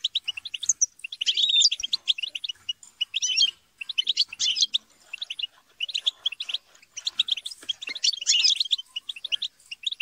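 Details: Group chatter and squabbling of European goldfinches, dense overlapping high chirps and tinkling twitters in surging flurries separated by short quieter gaps.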